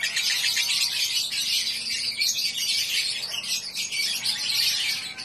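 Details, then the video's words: Lovebird from Samarinda, Indonesia, a contest bird, pouring out a dense, unbroken stream of high, rapid chattering trills, harsh and scratchy, steady in loudness for the whole stretch. "LOVE BIRD CHOKY"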